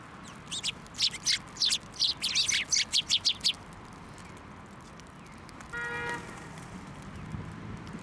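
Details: Sparrows at a Tenmangu shrine on 21 December 2023, flying onto a hand to be fed. A quick run of short, high chirps fills the first three seconds. Then a vehicle horn sounds over a low traffic rumble.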